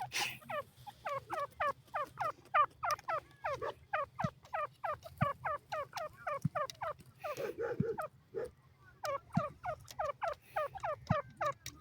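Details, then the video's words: Grey francolin calling: a long series of short, sharply rising metallic notes repeated rapidly, about three each second, with faint low thumps underneath. "teetar awaz, dakhni teetar boli"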